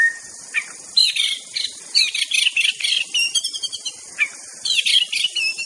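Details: White-rumped shama of Aceh, master song recording: bursts of fast, high, scratchy chattering and twittering notes alternating with short pauses and a few whistled slurs, over a steady faint hiss.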